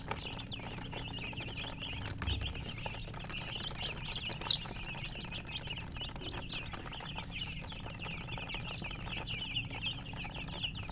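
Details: Baby chickens chirp in a crowded, continuous chorus of short high peeps, many birds overlapping, over a low steady background hum.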